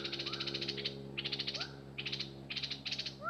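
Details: A few harsh buzzing chatter bursts from an excited decoy bulbul, interspersed with soft rising whistled notes, over low background hum.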